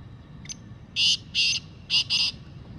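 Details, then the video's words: Harsh call of a black francolin: a brief weak opening note and then four strong grating notes grouped in twos, delivered within about one and a half seconds against low background noise. "Kala Teetar Full Sound"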